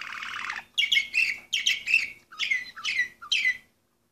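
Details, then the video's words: Orpheus breed canary, 2014 bird number 24, singing after a noisy rush: five repeated phrases of sweeping, descending whistled notes, each under a second, then falling silent. "canary orpheus 2014 number 24"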